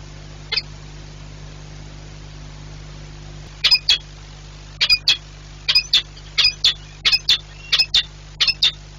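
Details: Peregrine falcons, a breeding pair changing over at their nest in Płock, Poland, 4 April 2022. After one lone note, sharp rasping calls arrive in close pairs, about one pair per second, against a constant low hum.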